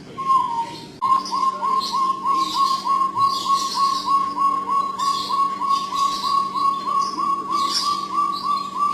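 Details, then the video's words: Jungle bush quail (Perdicula asiatica): one longer whistle, then short mid-pitched whistled notes repeated about three times a second, over a steady low hum and soft hiss. "SUARA ANEH DARI BURUNG PUYUH HUTAN"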